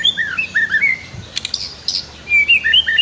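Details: White-rumped shama song as a training master, with river ambience: bouncy slurred whistles in short groups, a burst of harsh high notes in the middle, then the whistled phrase repeated.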